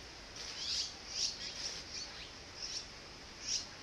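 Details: Nestling azure-winged magpies greeting parents that bring food after a long absence, close to leaving the nest; repeated high squeaky begging calls with falling slurs, about six bursts, over constant hiss.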